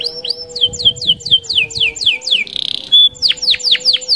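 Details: Canary delivering a fast, lively roll to bait other canaries into song: evenly spaced swooping whistles, a short buzzy rattle and a sharp held note, then more steep downward notes, with a constant low hum behind.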